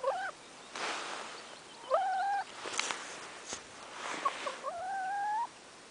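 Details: Domestic hen, fresh from a dust bath in fire ash, giving three drawn-out tonal whines with a clear overtone: a short rising note, then two longer calls that rise and hold steady, each about half a second to a second long, with faint rustling between.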